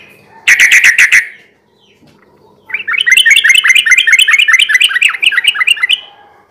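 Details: Yellow-vented bulbul (trucukan) lure song for night use: a short harsh rattle, a pause, then a long, rapid chatter of sharp chirping notes lasting several seconds.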